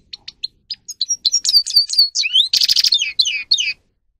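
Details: Grey-crowned goldfinch song: starts with sparse high chirps, then builds into a fast, loud run of twittering notes with a brief buzzy burst midway and descending whistled slurs near the end.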